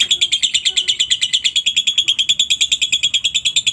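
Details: Lovebird long ngekek, meant as a lure so other lovebirds start singing: an even, rapid series of piercing high chattering notes, about seven per second, unbroken and regular.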